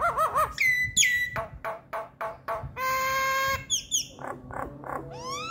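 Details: Nias hill myna singing a rich varied sequence: wavering whistles, rising and falling slurs, rapid knocking notes, a steady harmonic-rich nasal tone, and upward-sweeping whistles.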